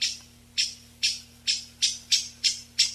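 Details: Eyebrowed thrush, migratory species living mainly in mountains, call for gathering the flock, noise-reduced: eight loud sharp high buzzy notes, spacing tightening from half a second to about a third; steady hum.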